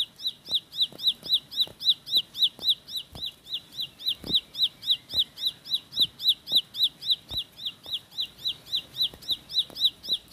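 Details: Ciblek pari, the bar-winged prinia, delivering a sustained 'tembakan roll' of uniform high chipping notes, each a quick rise and fall, about four per second without pause, with occasional soft clicks.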